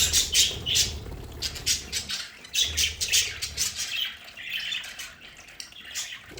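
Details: Budgerigars in a home play area give rapid scratchy chirps and squawks, loud at first then softer warbling, with faint low rumbling beneath.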